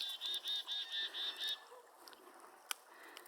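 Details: A male Northern Flicker up on a nearby pole calls to a female with six quick, bright, nasal notes, about four a second, then falls silent; soft outdoor background with one sharp click.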